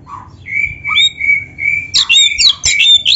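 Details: Oriental magpie-robin (kacer) in full-repertoire song. A low note and a long level whistle lead into a burst of rapid, varied whistles and harsh chatter with sharp clicks.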